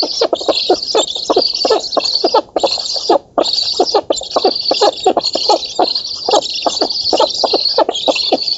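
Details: Nestling black storks in an oak-tree nest in Poland begging at feeding time, 11 August 2017, nest camera; continuous hoarse high wheezing with fast throbbing pulses beneath, brief gaps near two and three seconds, multiple young calling at once.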